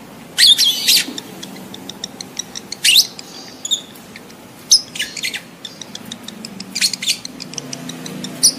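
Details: Lovebird in breeding condition chattering with sharp, shrill screeches in quick clusters, interspersed with softer rapid ticks, a lure sound meant to bring adult lovebirds into mating readiness quickly.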